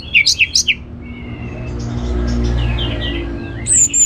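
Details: Orange-headed thrush lure song for prompting other birds: three sharp, bright whistled notes in quick succession, then quiet faint whistles, with a high whistle returning at the end over low rumble.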